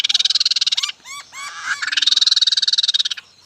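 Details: Laughingthrush singing: a fast buzzy rattle of high pulses, then a few short arched whistled notes, then another long rapid rattle.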